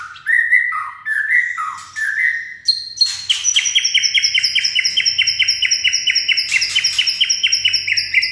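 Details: White-rumped shama singing with a steely-toned voice: loud looping whistled phrases dipping and rising, then a fast rhythmic series of ringing repeated notes, about five per second, sustained for five seconds.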